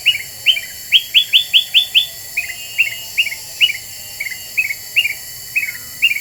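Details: Black-winged bulbul lure song for provoking other birds: a burst of strong rising chirps, followed by steady, evenly spaced softer twitters, about two and a half notes per second.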